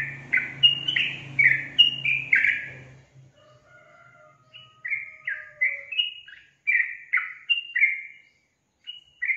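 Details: Sooty-headed bulbul pours out rapid, bubbly slurred notes over a low mechanical hum that fades after three seconds, followed by a thin drawn-out whistle and then more quick chirping phrases.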